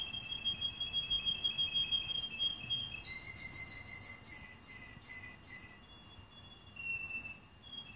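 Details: A male canary, hatched 15 March 2018 and recorded 25 October 2018 in Anapa, sings long, smooth rolling trills and sustained whistled tours, shifting pitch every second or so, against a faint background hum.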